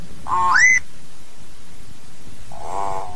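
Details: Hill myna calling its flock with a single bright rising whistle, then after a pause a soft, buzzy nasal note.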